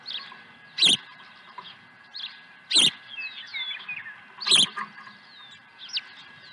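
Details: Osprey swooping in to its nest with a second fish at Dunrovin Ranch, 23 April 2020. Three strident, high yelps spaced about two seconds apart, with quick whistled chirps of other birds between them.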